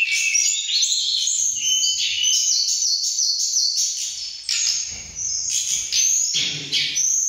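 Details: Excited mountain tledekan birds matching each other in loudness and beauty of voice when they meet: a dense, continuous stream of high, rapidly shifting whistles and trills, several voices layered, faint low thumps later.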